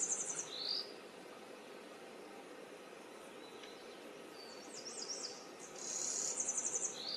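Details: Wild yellow warbler: several short, high, quick-note phrases with brief slurred sweeps, scattered through the recording, against a constant hiss of background noise.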